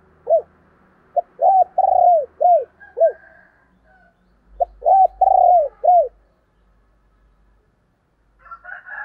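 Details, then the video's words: Female spotted dove cooing: two phrases of mellow, low hooting notes, each a short pickup note then a long drawn coo and a few falling hoots, separated by a pause, with a brief higher rasping sound at the end. "cu mái gáy"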